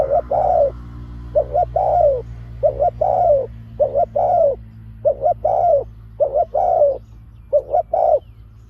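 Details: Spotted dove used as a decoy for trapping wild doves, producing its sharp 'pak khruen' call: about eight phrases of paired hoarse coos, each a short note leading into a longer falling note, over faint low hum.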